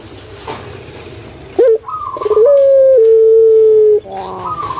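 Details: Puter pelung collared dove kept in Indonesia, calling as a lure for reluctant birds: a short rising note, then one sustained, slightly falling coo lasting about one and a half seconds.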